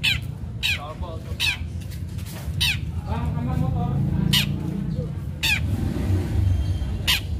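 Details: Long-tailed shrike singing as a lure for other shrikes: loud, grating bursts spaced roughly a second apart with softer chatter between, over a low murmur.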